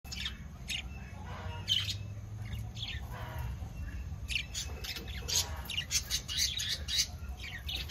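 Budgerigar chicks give short, scratchy chirps and squeaks in quick, irregular bursts over a low hum.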